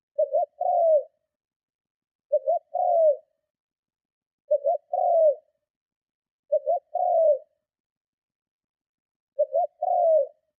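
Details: Strong luring coos of a spotted dove aimed at provoking other doves: five matching phrases, each a brief doubled note followed by a longer coo sliding down, repeated about every two to two and a half seconds, no other sounds.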